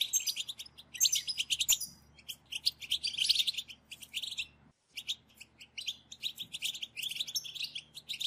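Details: Chattering European goldfinches in a group, intended to spur goldfinches to sing; busy, high twittering swells in the middle, then stops for a short silence before resuming.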